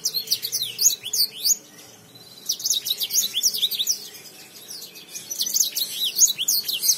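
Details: Lemon finch in full song: rapid, high, sharply slurred chirps in dense bursts of one to two seconds, pausing briefly between bursts, with faint low background hum.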